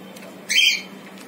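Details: Cockatiel on a balcony gives a single short, harsh, high squawk lasting about a third of a second, after a quiet background hum.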